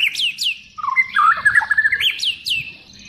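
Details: Mimicking song of a White-rumped shama, used for tutoring birds: high steep downslurred notes frame a varied middle passage of warbled, jumping whistles, delivered quickly and irregularly.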